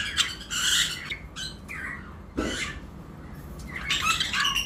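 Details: Lovebird pairs in a breeding-season flight colony chirp in short clusters of shrill squeaks and buzzy notes, with pauses between, and a dull thud in the middle.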